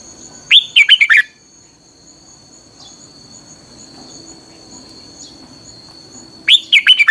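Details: Red-whiskered bulbul lure song for training other bulbuls, 'căng lửa' style: a burst of five or six fast warbled notes, about six seconds of near-quiet with a faint steady whine, then another similar burst.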